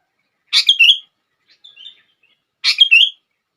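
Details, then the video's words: A sooty-headed bulbul's song for drawing other bulbuls into song: a bright three-note whistled phrase, a few soft quiet notes, then the same lively phrase again. Nothing else is heard. "100% Langsung Ikut Gacor...!!! Kutilang Lain gak bisa diam saat mendengar suara ini!!!"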